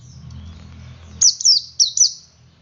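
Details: Male Oriental white-eye singing in the ngalas style, used to prompt other white-eyes to sing: after a second of quiet, a quick burst of four high, thin, descending chirps, closely spaced.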